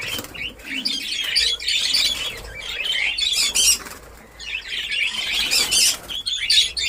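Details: Budgerigars in a newly set-up breeding colony in Darbhanga, Bihar, India, giving a dense mass of high warbling chirps and chatter from many birds at once, rising and falling in loudness, with wing flutters.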